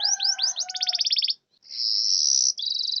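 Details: Lure song of a canary for birds that refuse to sing: quick upward-curving whistles speed into a fast pulsed trill, a short silence, then a sustained high buzzy roll and a lower rapid rattle.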